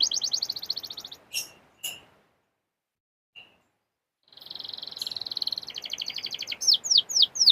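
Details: Canary song from a recording used to get canaries singing: a high rapid trill and a few sharp chips, nearly two seconds of silence, then a buzzy trill ending in loud downward-sweeping notes over background hiss.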